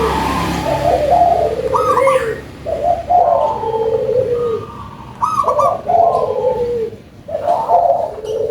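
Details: Local zebra dove with a loud voice singing: rolled higher notes then a string of low, purring coos, repeated in three phrases with brief pauses between.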